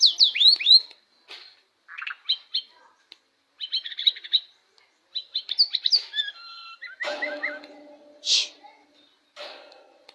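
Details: Varied, energetic white-rumped shama song meant to goad a rival into answering: bursts of sharp, sweeping chirps and twitters, short whistled phrases, then lower harsh notes, with brief silent gaps between phrases.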